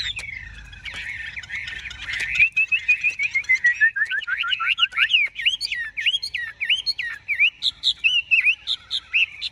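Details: Chinese hwamei, a large-bodied bird kept for sale in Vietnam, singing: a soft warble gives way after two seconds to a fast run of loud, clear whistled notes, each sliding up or down, with varied phrasing.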